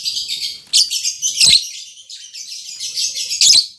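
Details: A freshly matched pair of caged lovebirds, albino MM male and lutino MM female, keeps up continuous high, rasping chatter with louder peaks and a few soft knocks.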